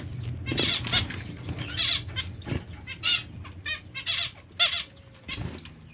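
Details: Zebra finch giving a rapid series of short, nasal, trumpet-like calls, some doubled, spaced about half a second to a second apart, over a low background hum.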